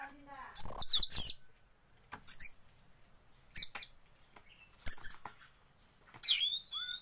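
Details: Lure recording of Oriental magpie-robin, meant to make kept birds open their tails, with shama filler; five short, sharp bursts of high squeaky whistles separated by silent gaps, ending in clean rising slurred notes.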